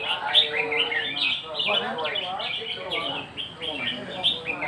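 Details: Red-whiskered bulbul singing in the nap dok style, a run of short bright warbled phrases, rising and falling, following one another quickly with brief gaps, over steady background music.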